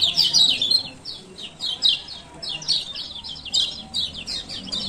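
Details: High, thin chirps in short clustered bursts every half second or so from a male kecial kuning (lemon-bellied white-eye), Lombok type, used as training sound to make lazy birds call again.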